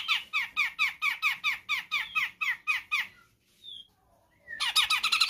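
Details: Grey-cheeked bulbul from Sumatra: a rapid series of bright, downward-slurred notes repeated about four times a second for three seconds, a brief pause with a few thin whistles, then a denser burst of the same notes.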